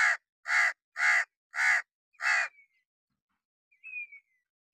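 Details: A hooded crow sitting on wood in summer rain gives five harsh, hoarse caws in quick succession, about two a second, followed by a thin, high, falling squeak.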